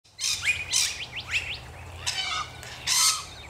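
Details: Rainbow lorikeets in Australia: harsh, broadband screeches in short bursts, mixed with quick rising and falling chirped notes, over a low background rumble.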